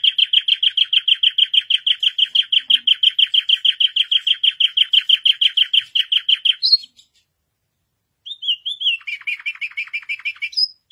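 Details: Singing white canary delivering a long, very fast rattling trill of identical clipped notes for about seven seconds, a brief upward note, a short pause, then a quicker buzzy trill with rising whistles.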